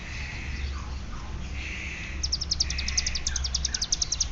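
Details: Ciblek gunung (hill prinia) from Cililin: broad buzzy bands and soft slurred notes give way to a steady, very high ticking ngeriwik trill lasting about two seconds. A low rumble sits in the background.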